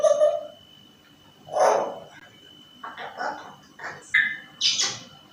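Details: Pet African grey parrot indoors mimicking sounds: a short nasal note, a louder hoarse cry, then a string of rough chattering syllables ending in a high squeaky whistle, with a faint steady electrical tone throughout.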